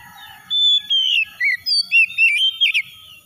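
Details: Lure recording of Oriental magpie-robin song meant to set other birds singing: a series of bright whistled notes and short trilled slurs, each lasting a fraction of a second with brief gaps, over a faint low hum.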